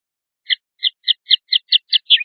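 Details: Common linnet male hunting for a song post in a bush or hedge, giving about nine short, clipped chirps spaced evenly, quickening slightly toward the end. Quiet background.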